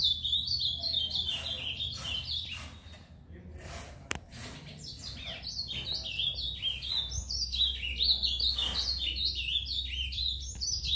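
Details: A brown-plumaged (pardo) ultramarine grosbeak at a breeder's aviary sings a quiet, rambling subsong: a continuous run of soft, high warbled and twittering notes, with a low room hum underneath.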